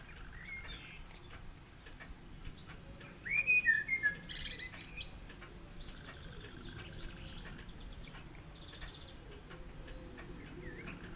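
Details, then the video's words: Eurasian blackbird exchanging song with another blackbird, a pigeon somewhere nearby; one short, bright phrase of slurred whistled notes in the middle, surrounded by faint, scattered high twitters and quiet outdoor background noise. "Blackbird chatting with friend"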